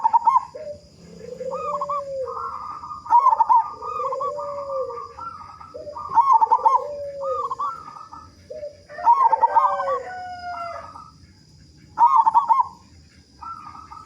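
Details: Several local zebra doves with big voices, a lure to get other doves singing quickly: bubbly cooing phrases near one pitch, loud stuttering bursts every few seconds, overlapped by lower arched coos from other doves.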